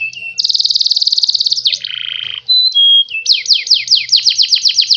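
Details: Canary song played to stimulate other birds to sing and imitate it: loud, rapid rolling trills, a lower buzzy stretch, brief pure whistled notes, then a fast series of descending sweeping notes repeated several times a second. No other sounds.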